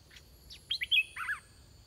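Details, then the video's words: Caged red-whiskered bulbul used as a decoy to lure wild birds; a large, big-crested wild bird came in quickly. A brief phrase of liquid, warbled whistles, quickly rising and falling, with a faint low rumble beneath. "ต่อนกกรงดอกแตง (ไอ้ทอง) ตัวที่ 10 นกป่าลูกเสอมาไวมาก ตัวใหญ่ บัวใหญ่ เพลงดี"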